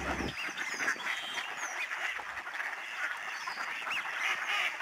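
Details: Snow geese in a huge flying flock honk over the George C. Reifel sanctuary, Delta, BC, Canada, on a March day in 2011. A steady wall of yelping, nasal notes, many birds calling at once without pause.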